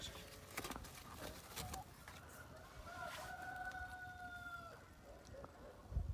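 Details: A rooster crows on a freezing morning with frozen fountains: a long, drawn-out, slightly wavering call over background clatter.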